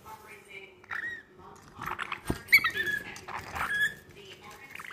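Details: Lorikeet attacking its own reflection: harsh, buzzy screeches and scratchy chatter in bursts over a few seconds, with one sharp tap partway through.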